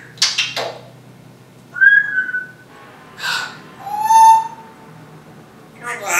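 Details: Female timneh African grey parrot kept as a house pet, talking and mimicking household sounds: short breathy and hissy noises mixed with two clean whistles, one mid-pitched and gliding, one lower and held.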